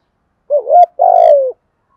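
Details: A spotted dove calls once with a soft wavering lead-in and a sustained, throaty hoot that drifts slightly downward before ending abruptly; otherwise silent.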